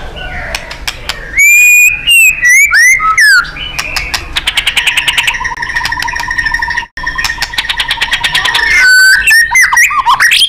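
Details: White-rumped shama song in a loud, busy training recording for contest birds, styled gacor and nembak: sharp whistled notes sweeping up and down, dense rapid ticking clicks, buzzy rattles, and short bright rising phrases.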